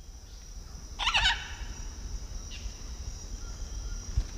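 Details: Blue-and-yellow macaw in Peru gives one loud, harsh, raspy squawk, then a fainter, shorter squawk, over a steady background hiss.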